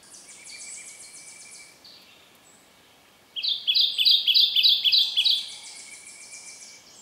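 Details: Kentucky Warbler male in the understory at Land Between the Lakes, Kentucky, cold drizzly breezy morning, filmed on a Canon 7D: another bird's thin high song first, then a loud run of about seven rolling churring phrases, a faint steady tone behind.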